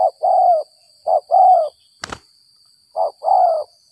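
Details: A spotted dove lured after rain in early April gives 'gagap 6 mata' coos. It repeats three phrases, each a short note then a longer, slightly falling hollow coo, with one sharp click midway and a faint high steady tone.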